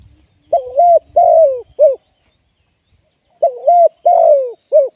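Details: Two matching phrases from a spotted dove used as a live decoy for trapping, about three seconds apart. Each phrase runs short coo, long descending croo, then a brief final coo. The background is otherwise quiet.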